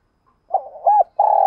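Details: Decoy spotted dove cooing in 'gáy sung' style to provoke rival doves. A brief fragment of soft wavering coos leads into a sustained, steady coo that is cut off abruptly.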